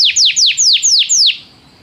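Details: Canary training song to make a canary sing: six loud downslurred whistled notes in even succession, about four per second, then fading to quiet.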